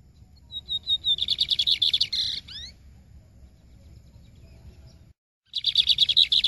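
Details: Lined seedeater delivering Maranhão song: spaced soft notes speed into a loud rhythmic chirping series and a buzz with upswept whistles, a quiet pause, then the fast chirping run begins again.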